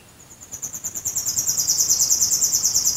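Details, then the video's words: At night near Dresden, Germany, a nightingale phrase made of one very high, fast pulsing trill that swells steadily louder, the notes repeated about three times per second, with no other sounds. "ASMR 1 Stunde Nachtigall Gesang Geräusch. Singing Nightingale Sound. Vogel der Nacht Nähe Dresden"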